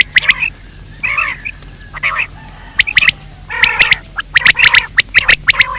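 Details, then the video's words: Call of quail for daytime luring: gritty, buzzy chatter in short bursts, broken by pauses, with scattered sharp ticks and some lower nasal tones. "Batir ki awaz Quail sound for day part 2( دن کے بھلانے کے لئے)"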